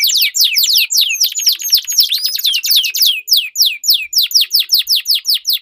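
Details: Sweet-voiced canaries duelling in long rolling song, used to get silent birds singing and to train competition birds; dense high sweeps with a couple of whistles, then evenly spaced downslurred notes about four per second.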